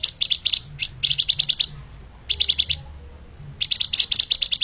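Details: Flamboyan bird in soft 'lemahan' song style, used as tutor audio for training other songbirds: fast, tightly spaced bursts of high, sharp chipping notes, about eight per burst, separated by short pauses, over faint low hum.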